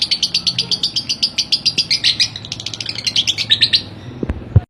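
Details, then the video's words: Lovebird master recording for bird training: quick harsh chattering notes that thin out toward the end, followed by a few low knocks and a sharp click before silence. "BURUNG LOVEBRID GACOR DORR. COCOK BUAT MASTERAN"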